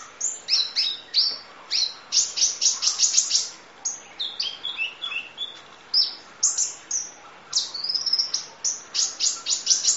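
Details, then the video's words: Long-duration masteran of the kolibri ninja sunbird: rapid bursts of shrill chirps delivered in fast rattling runs, mixed with short falling whistles, almost continuous throughout. "Audio Master Masteran Kolibri Ninja Full Isian Nembak Durasi Panjang Kicau Burung"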